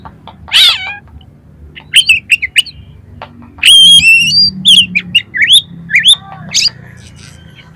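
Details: Oriental magpie-robin, actively singing with imitated material, played to provoke competition birds: a harsh rasp, then sharp upslurred chirps and a loud stream of varied whistles and trills, with low hum beneath.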